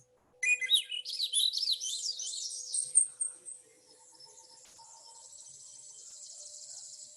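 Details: A Swainson's Thrush, a summer arrival whose song signals that summer is here, sings one flutelike phrase of about three seconds, spiraling upward in quick breezy notes, then fades into quiet background hiss.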